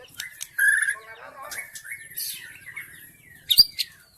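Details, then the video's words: Wild forest white-rumped shama song played as a lure for wild birds: clear whistled notes, a slurred warbling passage and a sudden sharp high note near the end. "SUARA PIKAT MURAI BATU ASLI HUTAN 100% MEMIKAT MURAI BATU AGAR GACOR"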